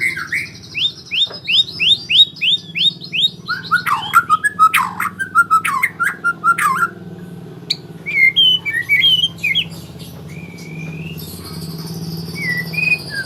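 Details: White-rumped shama learning rolling trills gives a rapid series of about eight rising whistles, then sharp clicks and swooping notes, later softer twittering phrases over a low hum.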